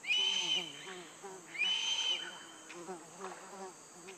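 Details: Two drawn-out, high, thin whistled screams, each about half a second, from a Black-collared Hawk in Pacaya Samiria National Reserve, Peruvian Amazon, over a steady insect hum and low human voices.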